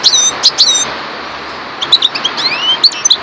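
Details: Parva goldfinch giving a few sharp high chirps with thin rising whistles, a pause of about a second, then a scattered burst of tinkling notes and a long upslurred whistle.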